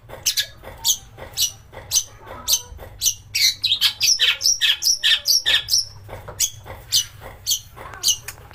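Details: Harsh-burst lure song of a long-tailed shrike, played to provoke singing and raise the bird's temper: spaced scratchy notes that quicken into a fast string of twittering, rising phrases, then spaced notes again.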